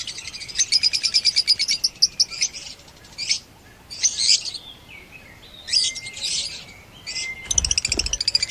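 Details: Blue-colored pet lovebirds, opaline and parblue opaline, kept in Pakistan: bursts of shrill rapid chirps alternate with short harsh squawks and pauses, ending in a loud chattering series.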